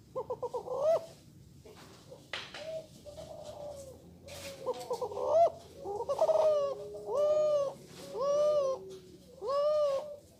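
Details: Male spotted dove, a third-generation Kelantan cross bird of the multi-kuk singing style, delivering steady hollow coos with arched, level tones. Several come one after another near the end. Earlier short calls are mixed with faint clicks and rustling.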